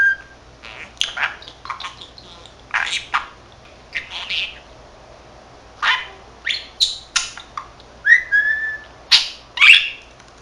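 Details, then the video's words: Chattering to himself, a 13-month-old pet male budgerigar that can say Korean and Japanese phrases produces a steady run of short chirps, clicks and warbled whistled notes, about one every half second, ending in brighter whistles. "Talking Parrot 말하는 사랑앵무(잉꼬) しゃべるセキセイインコ"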